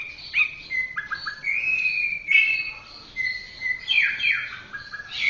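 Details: Orange-headed thrush song used as a master recording for training caged birds: varied clear whistled phrases, some rising and falling, with short pauses between notes.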